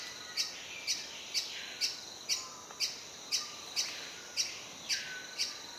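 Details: A male Great-billed Hermit sings at a lek in the rainforest understory at Sadiri Lodge, Madidi Park, Bolivia, during breeding season: a sharp, high squeaky note about twice a second in a steady series, over a faint insect hiss.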